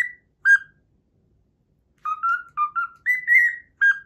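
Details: Cockatiel whistling part of its learned Pythagora Switch theme: two isolated sharp notes, a long silence, then a quick run of stepped tonal whistles climbing to a higher drawn-out note and a final clipped note.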